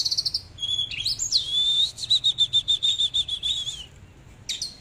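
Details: Oriental magpie-robin singing while displaying: a rising whistled opening, then a rapid run of short repeated whistled notes at an even pitch, ending in a thin high note after a pause.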